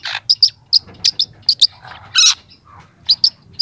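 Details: Song of a young long-tailed shrike, recorded for training other young birds: sharp high chirps delivered in quick pairs, broken by a harsh rasping burst midway, then more crisp chirps.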